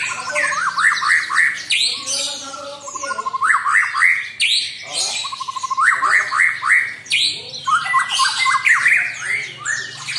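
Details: White-rumped shama song used as a lure to make a rival agitated: repeated bursts of stepped, rising whistled phrases and fast trills, each phrase cut off abruptly, recurring roughly every two to three seconds.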